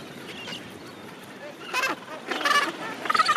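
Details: Gentoo penguins in a breeding rookery at the end of summer, with thousands of birds present. After a quiet, hissing start, three harsh, harmonic calls with honking tones come in quick succession, each louder than the last.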